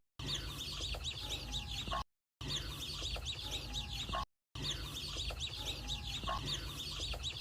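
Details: Baby chicks around their mother hen on a farm: a dense chorus of rapid high peeps and chirps, in three stretches split by brief silent gaps.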